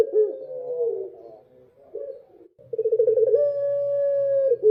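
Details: Dove singing at night, giving a falling low coo, quiet broken notes, then a quickly pulsing phrase that settles into a steady held coo.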